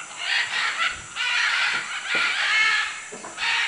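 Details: Macaws in Manu, Peru delivering rapid, rasping screeches, about one a second, merging into a near-continuous raucous chorus.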